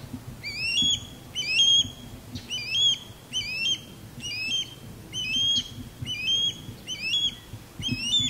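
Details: Osprey pair during courtship, the male sky-dancing overhead as the female calls loudly from high in a longleaf pine; repeated upslurred whistled yelps, each with a higher overtone, roughly once per second over a low rumble.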